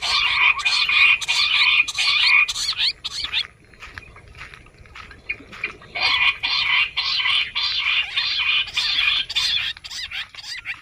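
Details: Bush quail calling, used as a hunting lure in jungle: loud, rapid, scratchy chattering phrases in bursts a few seconds long, separated by a quieter pause of about two seconds.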